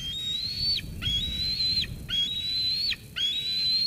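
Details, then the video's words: Bald eagle eaglet at the Sauces Canyon nest, 13 June 2021, squeeing at its mother after she brings food, until she leaves: long thin high whistles, each slowly rising then dropping sharply, repeated about once a second, with wind noise. "Dina squees Mom away, then eats."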